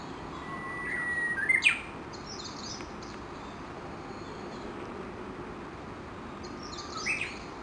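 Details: Japanese bush warblers gathered in a large feeding flock around 7:30 am beneath a chinaberry tree at Gakushima Bridge, Yoshinogawa, Tokushima; a held whistle ends in a sharp rising burst, and after a long pause a second burst sounds, with continuous hiss.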